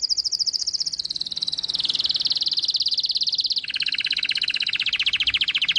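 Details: White-eye singing in tembakan style: one dense, buzzy, unbroken rapid trill that steps down in pitch twice, sounding like a continuous high rattle, with soft background hum.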